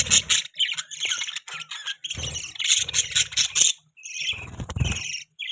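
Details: Pet budgerigars give bursts of raspy, high chirps and squeaky warbles separated by short silences, with intermittent low rumbling background noise.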